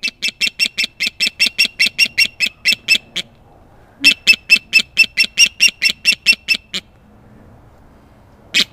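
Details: Captive Osprey with an amputated wing, a permanent resident at Carolina Raptor Center, calling loudly on seeing people: two rapid bouts of sharp, harsh chirps, roughly two per second, separated by a brief pause, ending in one lone note.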